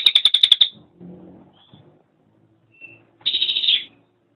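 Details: Cililin song for training songbirds: a brief burst of sharp, high trilled notes, then quiet with faint low murmurs and a couple of thin whistles, followed by a denser buzzy trill.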